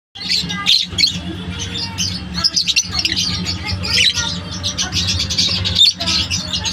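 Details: Lovebirds chirping: a dense, continuous chorus of high, sharp chirps and squeaky squawks from many birds at once, overlapping without pause, with a steady low electrical hum underneath.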